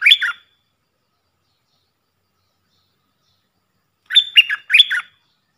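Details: Puff-throated bulbul decoy audio meant to teach young birds: a brief burst of chirped notes, a long silence, then a paired phrase of whistled, falling syllables.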